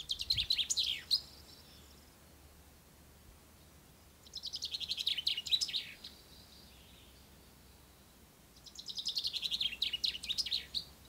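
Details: A common chaffinch in the poplars on the bank of the Ucero river sings at dawn on the first day of spring: bright, rattling phrases of quick notes tumbling down the scale, about every four seconds, over a faint hum.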